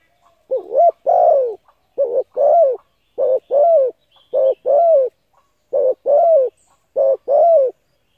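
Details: Repeated cooing of a spotted dove, used to lure and stimulate decoy birds. About six phrases come in steady succession, roughly one every second, each a short wavering note then a longer falling coo.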